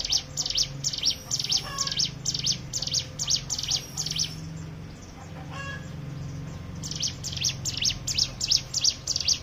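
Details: Hill prinia lure song for stimulating other birds: hurried high chirps repeated about three per second, stopping for roughly two seconds before resuming, with a constant low hum underneath.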